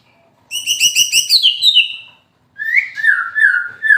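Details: White-rumped shama in moult delivering a 'kretekan' fighter-style song: a fast, harsh rattling burst of high stuttered notes, a brief pause, then a run of loud, descending whistled phrases.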